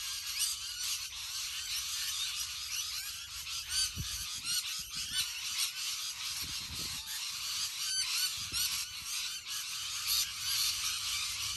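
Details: Rainbow lorikeets in a huge flock, an unbroken high-pitched screeching din, with a few low thumps or rumbles in the middle beneath the shrill chorus.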